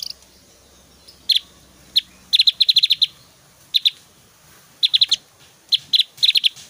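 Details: Singing Javan grey-throated white-eye with varied whistling and strong, drawn-out 'tembakan' shot phrases. Here: high, piercing chips, some single and others in quick rattling runs of up to seven notes, spaced unevenly with brief silences.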